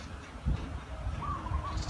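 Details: Zebra dove kept as a decoy to attract wild doves. One brief trilled coo phrase is heard near the end over low handling thumps and background rumble.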